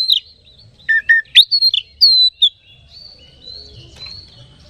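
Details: Lure song of an Oriental magpie-robin, meant to excite other magpie-robins: a rapid run of loud varied whistles, some dropping and some rising, for two and a half seconds, then soft faint warbling.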